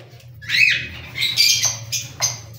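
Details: Cockatiel squawks: a loud arched screech followed by a few shorter, sharper notes at irregular gaps, with a steady low background hum.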